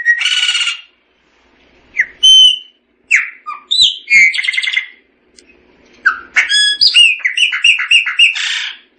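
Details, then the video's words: A Chopi blackbird (Gnorimopsar chopi) sings loud, varied phrases: harsh squawks, clear whistles and rapid chattering notes in bursts, with brief pauses between. "Tordo Chaqueño Cantando - Chopi Blackbird Singing"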